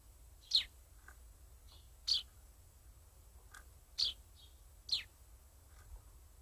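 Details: Sparrows excitedly inspecting handmade nest boxes built by a grandparent and grandchild. Sharp high chirps sound about once every second or so, with softer short notes between them and a low steady hum underneath.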